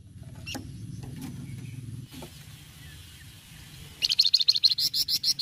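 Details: Raw, untrained Flamboyan singing energetically as a lure for other birds: after quiet background, a quick string of high, sharp chirps bursts out and runs to the end.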